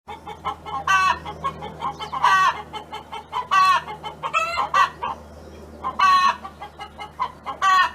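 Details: A neighbour's hen clucks steadily in low, throaty notes. Louder, drawn-out cackling calls break in roughly every one to two seconds, over a faint low hum.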